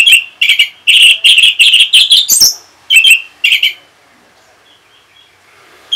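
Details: Orange-headed thrush reacting to a lure sound with rapid repeated chirpy whistled notes, about two per second, mixed with a scratchy flourish. A brief pause follows, then the notes resume before quiet.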